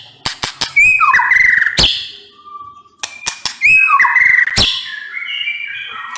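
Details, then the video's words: White-rumped shama delivering two similar loud phrases of sliding whistles and quick warbles punctuated by sharp clicks, a soft lone whistle between them. "MURAI BATU NEMBAK PEDES"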